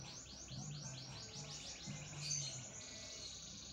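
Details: Canary, of the type called lopper, singing vigorously: fast, high repeated trill notes sweep along steadily, fairly faint, over a low background hum.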